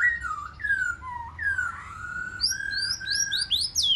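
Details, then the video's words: Rich mellow whistles from a white-rumped shama in 'forest voice' song, aimed at rousing wild-caught shamas to sing competitively; smooth falling slurs lead into a series of high, rising, sharp notes. "Chòe Lửa Hót Giọng Rừng Kích Chòe Lửa Bổi Hót Đấu"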